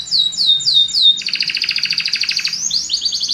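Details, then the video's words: Belgian canary song to encourage other birds: four clear descending whistled notes, then a fast pulsing trill and a higher rolling phrase. "CANTO DO CANARIO BELGA PRA ANIMAR SEUS PASSAROS"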